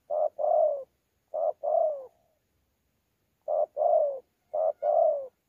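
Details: Wild-caught mixed spotted dove, Sa Thầy, Vietnam, November 2019, singing 'đấu' with 'gù' coos: low mellow paired notes, clipped then longer and sliding down, two phrases, a pause, then two more.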